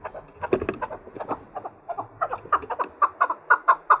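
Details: Chukar partridge trained to fight, singing against rivals: a steady series of short, hoarse chuk notes about twice a second, growing clearer and louder toward the end.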